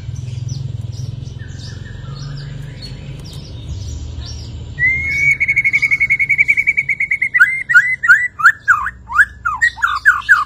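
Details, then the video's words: White-rumped shama singing after its moult, showing off its learned phrases. Faint scattered notes over low rumbling noise give way to a long, fast, even trill, then loud repeated sweeping whistles. "Beginilah Kicauan Murai Batu Sehabis Mabung, Auto Bongkar Isian"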